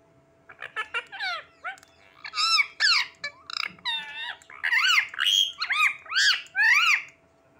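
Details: A pet Indian ringneck parakeet, described as moody, talks in a rapid run of bright, harmonic chirps and squawky word-like phrases that rise and fall, with a faint steady hum behind.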